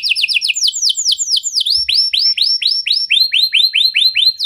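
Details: Canary in cengkok mewah song style giving repeated downward-swooping chirps, fast at first and then slowing to about three per second.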